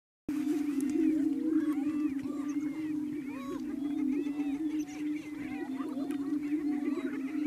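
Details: Greater prairie-chicken lek near Wray, Yuma County, Colorado, 14 April 2019, over 35 birds of both sexes: males boom by inflating air sacs to attract females, a low hollow continuous moaning hum with higher cackles and whoops over it.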